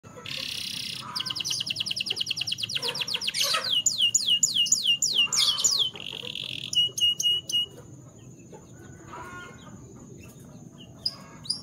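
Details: In the morning, a canary sings a fast, varied, high, bright song of rapid trills and repeated chirps, with quick rolling phrases that change every second or two.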